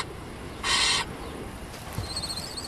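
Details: On a summer morning in Austria, young barn owls huddled below a bell tower wait hungrily for their parents, one giving a single harsh, breathy begging hiss under half a second long, over faint hiss and a thin high whine.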